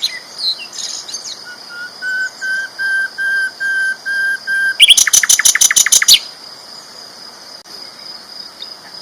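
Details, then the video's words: Loud sikatan londo flycatcher master song from a champion bird: about eight steady, evenly spaced pure whistles, followed by a fast loud rattle of around ten sharp notes, then near quiet. "BURUNG SIKATAN LONDO GACOR ISTIMEWA KERAS LANTANG MASTERAN"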